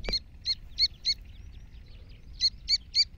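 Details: Iranian black francolin giving high, thin chirps in quick pairs and short runs, each note hooked with a sharp upper tip, several runs split by pauses over faint low rumble.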